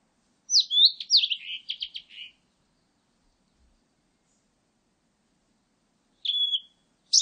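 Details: Song of a Blue-and-white flycatcher: high, sweet whistles fall into a fast, descending series of dry, clipped notes. After a long silence a lone slurred whistle sounds, then the start of another note. No other sounds are heard.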